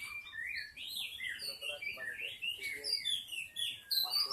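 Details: Forest-dwelling wild white-rumped shama in lure song: a dense, continuous stream of bright whistled and warbled notes, swooping up and down at high pitch, over faint background noise.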